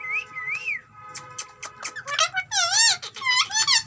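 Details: Talking green ringneck parrot: two wavy whistled notes, then sharp clicks and a burst of loud, rapidly warbling harmonic squeaks. A low hum runs underneath.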